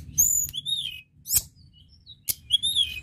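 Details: A mountain lark sings high, thin whistled phrases that slur downward in short bursts, broken by a few sharp clicks over a faint low hum; played to stimulate larks to sing.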